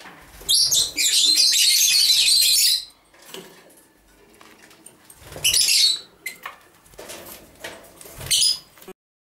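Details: Masked lovebirds, two edged blue males aged 7-8 months during moult, preening one another; a long harsh continuous screech of about two seconds, followed by quieter chatter and two shorter shrill bursts.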